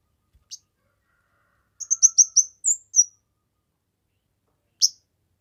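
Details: Kemade in vigorous song, meant for songbird tutoring and luring; after near silence, a quick run of five high chirps ends in two short whistled notes, then one isolated chirp.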